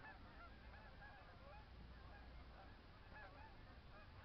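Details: Michigan snow geese calling en masse: a constant wash of brief nasal honks from many birds at once, softly layered, with a faint low hum beneath.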